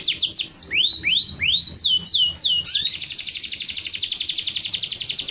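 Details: Canary song used to prompt mating and egg-laying: falling whistles, three rising upswept notes, more descending notes, then a long rapid rolling trill.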